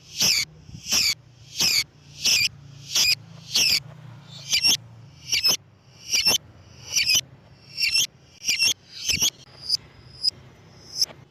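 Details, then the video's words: Played to lure lovebirds, a lovebird in full voice gives rasping shrill calls about every 0.7 seconds, fading to thin clipped chirps at the end, over a low hum. "MEMANCING BURUNG LOVEBIRD DENGAN SUARA BURUNG GACOR"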